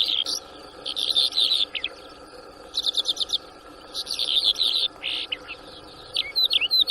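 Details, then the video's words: Newly trapped bimaculated lark, recorded 6 March 2024 in Shamani, Lakki Marwat, Khyber Pakhtunkhwa: bursts of bright, scratchy chirping trills in short clusters, mixed with sharp down-slurred whistled notes near the end, over a steady low background hum. "New trapped Bimaculated Lark bird"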